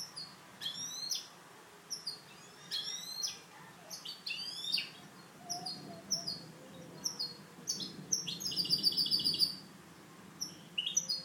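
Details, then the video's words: Caged goldfinch hybrid, one of three kept for song training, singing a clean song of bright, buzzy descending chirps and twittering phrases in bursts with short pauses, ending in a rapid trill. "MIXTO JILGUERO CANTO LIMPIO"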